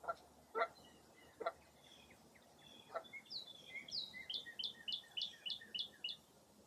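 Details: Foggy early April morning at Mirror Lake State Park, Baraboo, Wisconsin: a few separate low calls, then a brisk run of about ten high chirping notes in an even rhythm.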